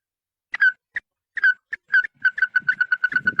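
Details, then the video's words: Red-eyed bird calling its flock, used to lure birds: scattered whistled notes that speed up into a quick, regular string of bright pulsed notes, with a soft low rustling underneath near the end. "Tiếng Chim Mắt Đỏ Gọi Bầy – Kêu To"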